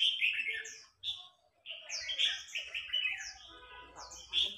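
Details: Red-whiskered bulbuls singing against each other, a veteran wild-caught bird challenging an excited young bird; nearly continuous overlapping warbles and bright slurred whistles, with one short pause, the phrases tumbling rapidly.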